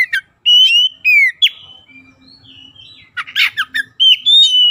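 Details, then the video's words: White-rumped shama song used as a lure for silent birds: bright clear whistles, a soft low pause, a harsh rasping burst, then sweet sustained whistled notes at the end. "PANCINGAN KACER LELET BISU | PASTI AKAN IKUT GACOR NGEPLONG GACOR"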